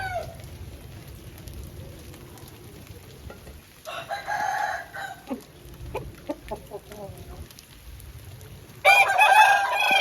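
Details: Aseel chicken after rain crowing twice, each time a hoarse harmonic crow of over a second, separated by a few seconds of soft clucks and clicks, with faint background hiss.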